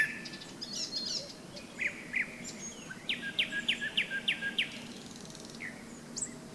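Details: Nightingale at a riverside rest stop on the Seversky Donets in May: a series of about six evenly repeated sharp notes, about three per second, among softer phrases. A low hiss and steady frog croaking sit underneath.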